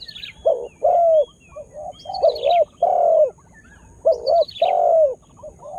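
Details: Lure spotted dove calling to attract wild birds: deep cooing phrases alternating short double notes with a longer sliding coo, repeated three times, while thin high twittering from other birds drifts in between phrases.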